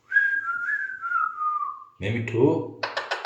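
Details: Male Alexandrine parakeet talking, opening with a long steady whistled tone that slowly slides downward, then a burst of harsher, voice-like syllables with rapid pulsed notes at the end.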